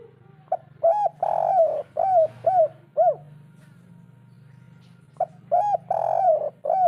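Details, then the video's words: Spotted dove, natural local 'kuk 3' voice meant to make a silent bird answer: clipped opening note, drawn-out throaty coo and three bowed coos, the phrase recurring after a pause over a constant low drone. "masteran derkuku tekukur kuk 3 atasi burung malas bunyi langsung nyaut"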